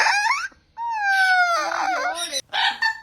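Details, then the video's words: Amazon parrot imitating human laughter: rough, voice-like cackles with sliding pitch, a long falling drawn-out note, then short harsh bursts separated by brief silences. "Amazon Parrot's Laugh"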